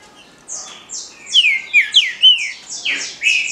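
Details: Green-winged saltator delivering Paraná liso batido song, a rapid run of strong, sweeping whistles that slide downward, each slur ringing out one after another over about three seconds with little background noise.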